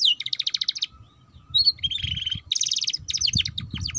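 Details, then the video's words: Young canary in ngeriwik chattering song, used to coax juveniles into singing: fast pulsing buzzy trills, a brief pause, a steady rolled trill, then quick sweeping whistles with faint low noise. "Pancingan Kenari Paud Cepat Bunyi || Cocok Untuk Kenari Paud Belajar Bunyi Ngeriwik"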